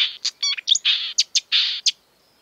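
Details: Marsh warbler song, rich in imitations of European and African birds: a short burst of harsh buzzy rasps alternating with sharp ticks and a few whistled notes, ending abruptly.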